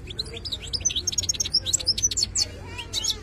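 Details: Khalawi European goldfinch in continuous song: rapid tinkling twitters and high slurred notes repeated about three times per second, with a faint hum beneath.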